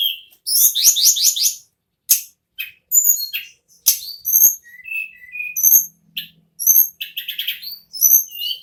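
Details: Ashy tailorbird, the tledekan or sulingan gunung, in continuous nagen ngerol singing: a rapid trilled opening, then sharp clicks, high whistled slurs and buzzy chirps tumbling one after another.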